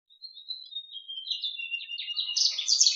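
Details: Bird called tiểu lửa in Vietnamese, used as a lure for trapping: a thin whistled note wavering and dipping, then a quickening series of short clear notes that grow louder and shriller toward the end, in silence.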